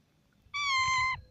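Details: Parrot giving its natural voice: one drawn-out, even, meow-like tonal call with rich harmonics, lasting about half a second, over a faint low background rumble.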